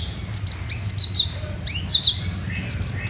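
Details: White-rumped shama singing: clear, sharp whistled notes and quick upslurs at a high pitch, delivered in short phrases over a steady low rumbling background noise.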